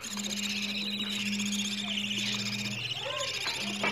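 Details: Begging calls of budgie chicks asking for food, meant to encourage budgies to mate and lay eggs: continuous harsh chatter with a steady low hum and a few softer chirps beneath.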